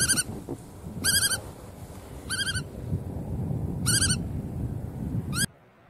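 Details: Bar-tailed godwit calling repeatedly. Each harsh, nasal double-note call comes about every 1.2 seconds, five calls in all, over steady low background rumble before it falls quiet.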